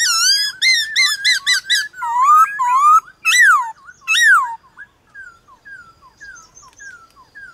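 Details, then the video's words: White-cheeked laughingthrush singing against wild laughingthrushes one morning: loud rapid bursts of rich, twisting whistled notes, a few strong slurred whistles, then a fade into soft, evenly repeated down-slurred notes. "Khướu bạc má HÓT ĐẤU với Khướu ngoài thiên nhiên buổi sáng cực hay"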